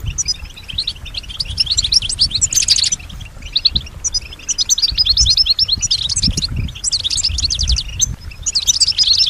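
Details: European goldfinch, a female kept bird, singing in response to surrounding sounds: rapid bursts of high twittering notes with buzzy trills, phrases broken by short pauses, faint low rumble beneath.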